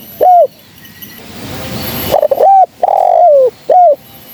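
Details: Spotted dove, a female, calling as a trapping lure: a single short coo, a hissy pause, then a phrase of stuttered notes, a drawn-out falling coo and a final short coo.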